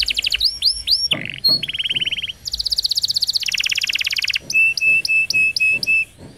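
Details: Canary singing roll song to train young canaries: upswept whistles, a trill, two long buzzy rolls, then a row of steady, evenly spaced whistled notes, with soft tapping underneath.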